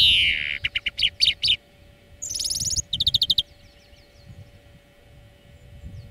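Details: Greenfinch song in a bird-training lesson: opens with a falling wheeze, then sharp chirps, a short buzz, a quick trill and faint soft notes.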